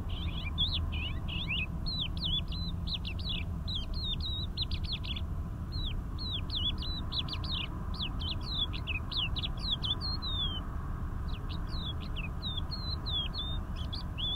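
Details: Crested lark (Galerida cristata), song.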